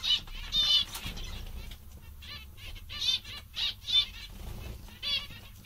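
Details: Cheerful, contented zebra finches give short, nasal, buzzy calls in quick bursts, about one or two each second, with soft fluttering and rustling between them.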